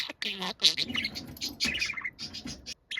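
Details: Tame young budgerigar said to mimic a middle-aged man's voice. Loud, continuous chatter mixes low, voice-like harmonic notes with sharp high squeaks and a brief falling whistle, then ends in a short silence.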